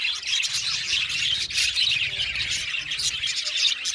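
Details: Chattering flock of budgies, dense high squawks and chirps tumbling over each other without any gap.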